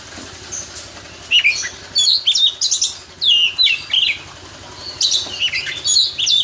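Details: Champion oriental magpie-robin let out of its cage gives short, separate bursts of whistled and slurred notes with brief chatters, spaced by quiet gaps over a faint low hum.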